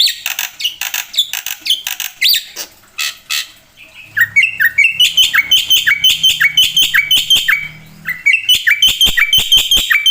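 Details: Gacor black-winged myna, full isian: ragged harsh squawks and chips at first, then rhythmic rising-and-falling phrases of sharp notes repeated quickly, with a faint low hum behind.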